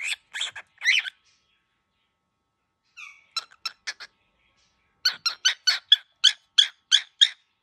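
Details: Furious young cockatiel: three harsh squawks, a pause, a few short clipped notes, then a fast run of about ten rasping bursts.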